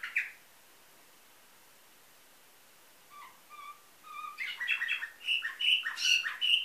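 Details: Nightingale-style canary from a Varna, Bulgaria breeder, 2013: one sharp note, a long pause, soft low piping notes, then a fast rising burst of bright chirps and whistles.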